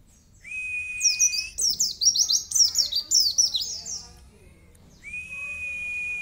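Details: Mountain white-eye song in the masteran style, featuring long 'cerrr' runs: a level whistled note, then a rapid burst of high, descending chirps and trills, then the steady whistled note returns.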